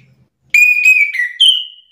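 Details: Orange-headed thrush (anis kembang) provoked into agitated counter-singing, answering another bird's song. After half a second of quiet come three loud, clear whistled phrases. The first two slur gently downward and the last is pitched higher and trails off.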